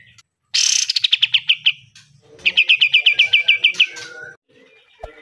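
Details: Pied triller singing the fast 'besetan' style, used as a master recording for training caged birds: two bursts of rapid, evenly repeated sharp notes, each about a second long, with a short pause between.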